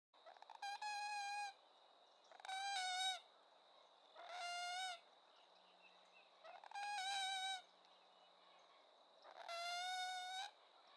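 Common gallinule giving five harsh, nasal, rich-toned calls, each nearly a second long and spaced about two seconds apart, over a steady high insect-like hum.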